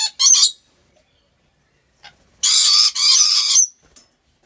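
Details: Captive rainbow lorikeet in an animal park in Aceh Besar, Indonesia: one short, sharp squawk, then silence, then a long, raspy screech of over a second broken into two parts.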